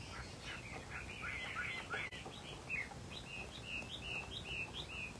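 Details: Rare pale colour variety of Chinese hwamei, called bông mơ bạc tạng, kept as a cage bird, singing. Quiet run of short warbled, slurred phrases repeated in quick succession, with a hiss of background noise.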